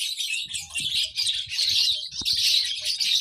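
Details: Baby lovebird giving a steady, busy chatter of shrill chirps and squeaky notes that run together almost without pause. Low rustling and tapping noises sound in the background.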